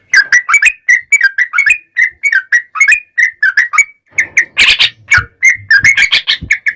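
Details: Sooty-headed bulbul singing to lure other bulbuls into song, a rapid stream of lively chirped and whistled notes, with a harsh noisy burst near the middle.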